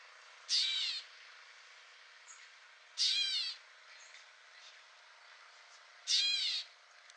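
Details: A Gray Catbird at Newman Lake, Washington, USA (Northern Rockies ecoregion) gives three harsh, nasal, cat-like mews, each about half a second long, roughly three seconds apart, over a quiet background.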